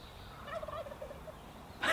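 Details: Distant wild turkeys heard from a camp on a mountain: a gobble, a quick rattling burst of throaty notes lasting under a second, then a sharp, loud noise cuts in at the end.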